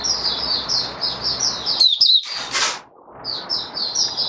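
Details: Caged oriental white-eye singing after deworming: a steady series of high, slurred, repeated chirps about four per second, broken midway by a sharp clatter, then resuming, over constant background hiss.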